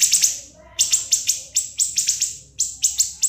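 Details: Siri-siri tutor recording: groups of two or three piercing, sharply falling notes in fast succession, repeated in bursts with short gaps, very high and clean.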